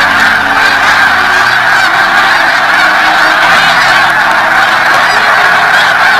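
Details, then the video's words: Snow geese massed on their 2017 spring migration: countless honks merge into a dense, even clamour, with sustained low tones shifting in the background. "Snow Geese"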